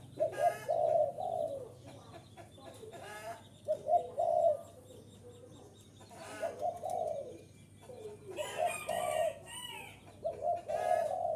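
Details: Luring call of a spotted dove meant to draw wild doves in: repeated hoarse coos in irregular groups across the recording, punctuated by loud broadband crackles and brief chirps.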